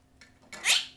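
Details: A pet male monk parakeet (Quaker parrot) on an indoor playstand, handling sticks and cups, gives a single harsh, scratchy squawk that rises sharply then trails off, after faint rustling.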